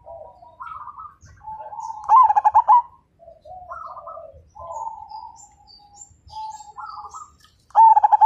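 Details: Zebra dove, Majapahit line, a strong singer: quiet rising and falling coos from several doves, broken by a loud rattling burst of quick coos near the start and another at the end.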